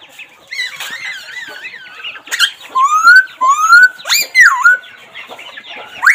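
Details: Laughingthrush voice with a wavering, trilled whistle followed by several clear rising whistles and a swooping downslur, over a faint background.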